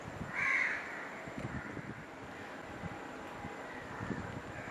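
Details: A Great-billed heron (Ardea sumatrana) at Sungei Buloh, Singapore, gives a single loud, harsh, croaking call lasting about half a second over a low steady rumble of background noise.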